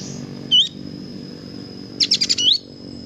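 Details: Kapas tembak bird singing energetically, recorded as a training track for other birds: a short slurred whistle, a pause, then a burst of four quick buzzy notes ending in a rising whistle, over a steady high tone and faint low hum.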